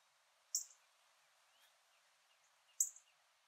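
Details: A rare yellow northern cardinal in a backyard in Port Saint Lucie, Florida, recorded on an iPhone, gives two sharp, very high chip notes about two seconds apart over a quiet background.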